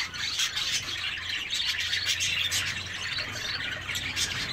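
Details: Aviary chorus of zebra finches: many birds giving quick, nasal, buzzy calls that overlap continuously, with a low steady hum underneath.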